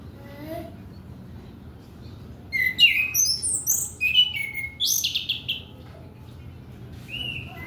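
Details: Varied thrush song, the orange-headed thrush, played to coax untrained young males: a soft low whistle early, then a lively run of sliding whistles and sharp high notes in the middle, fading toward the end.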